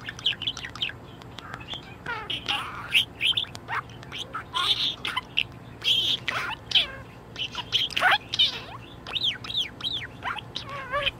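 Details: Happy pet budgerigar in a very good mood warbling continuously: dense chatter of clicks, squeaky chirps and wavy whistled phrases that rise and fall, hardly pausing for eleven seconds.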